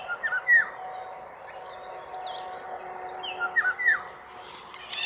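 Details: Eurasian golden oriole, male and female, an exhausted bird resting on a sailboat heading toward Île d'Yeu; clear fluty whistled notes gliding down, given in short clusters near the start and end, with a few higher swooping notes between.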